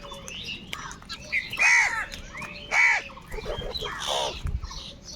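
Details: A huge gathering of crows fighting for food; two loud, hoarse arched caws stand out about a second apart, followed by rougher, scratchier calls amid a chattering flock.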